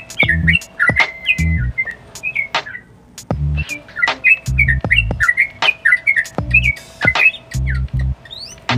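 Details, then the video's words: Yellow-vented bulbul singing energetically with 'nguklik' clicks, said to provoke rival birds. Steady runs of chirpy warbled notes pour out, interspersed with crisp clicks, while low rhythmic thumps recur about every second. "Trucuk Gacor - Nguklik Bikin Emosi yang Lain"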